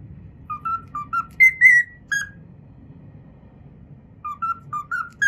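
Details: Pet cockatiel whistling the opening theme of Pythagora Switch, a learned tune: clear whistled phrases of short repeated notes, a pause, then the phrase again, in a quiet room.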